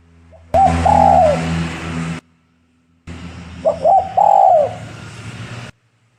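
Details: Spotted dove used as a lure bird for trapping doves, giving a soft low cooing phrase, a short note then a longer wavering coo, repeated in two bursts with a gap of silence between.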